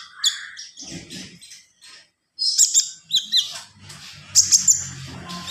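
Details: Javan pied starling singing in the gacor full isian style: bursts of high, scratchy chirps and squeaky notes separated by short pauses, with a faint low rumble beneath.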